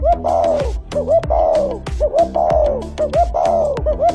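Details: Spotted dove (Spilopelia chinensis) giving soft, arching coos in short repeated phrases about once a second, over steady background music.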